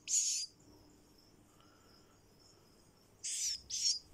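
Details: Kakariki chick calling: short broad high hissing bursts, one at the start then a paired burst near the end, separated by near silence.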